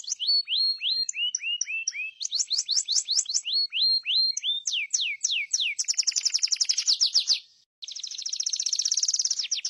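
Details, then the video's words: Atlantic canary, a yellow songbird with brown streaking on the back, sings a fast varied song: repeated rising whistled notes, then rapid buzzy trills and dense rolling phrases, with a brief pause before the final trill. "Master burung kenari||insha allah langsung gacor"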